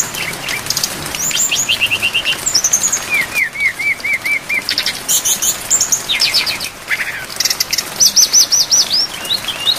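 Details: Brown-chested jungle flycatcher song, full of varied phrases and made for training cage birds, set against rain. Repeated downslurred whistles alternate with rapid chattering trills in short bursts, under constant rain hiss.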